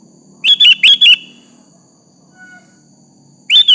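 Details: A bright sooty-headed bulbul phrase of four fast, fluty whistles, then a pause and the start of another, sung to draw a rival's reply.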